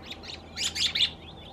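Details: Male American robin in California giving short, bright chirped calls, two soft notes then three louder, sharper ones in quick succession, high-pitched and over within about a second; in a group of about a dozen, Nuttall's woodpecker drumming on a telephone pole nearby.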